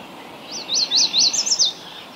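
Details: Song of a yellow warbler in Ontario, Canada: six quick, high, arched whistled notes run together in under a second, bright and sweet, over a low steady background hiss.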